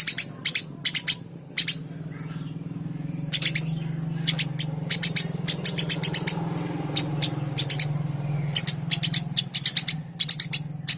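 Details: Eurasian tree sparrow chirping in loose bursts of sharp, high chips, some clustered in quick runs, over a constant low droning hum throughout.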